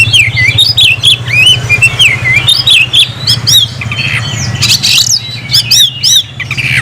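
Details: Kacer, the oriental magpie-robin, calling out a rival to fight with rising and falling whistled phrases, quick upslurred notes and bursts of harsh chirps, over a steady low background hum.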